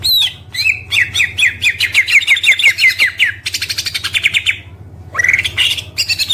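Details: Kept Oriental magpie-robin singing a luxurious masteran full of fills and shots: rapid repeated downslurred whistles, a fast ticking trill, then a brief pause before rising whistled notes, all over a low background hum.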